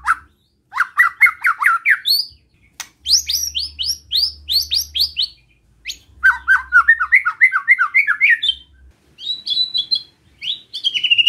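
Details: White-rumped shama song meant to stir other shamas: long varied phrases of fast repeated slurred notes, bursts of sharp high clicks and trills, brief pauses between phrases, with a faint low hum beneath.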